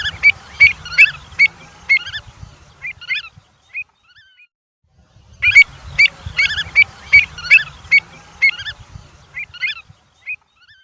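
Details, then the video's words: Avocet calling: clear, fluty, piping notes repeated two or three times a second in a rapid series, then a few scattered softer notes and a silent gap before a second similar burst; low rumbling background throughout the calling. "Avocet Sounds"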